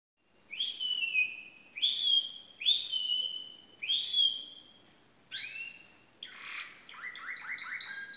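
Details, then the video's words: Pet canary singing an unusual song: four long, clear, high whistled notes, each sliding gently downward and spaced about a second apart, then short upward sweeps and a run of rapid, stepped, trilling notes. "Weird song of my canary"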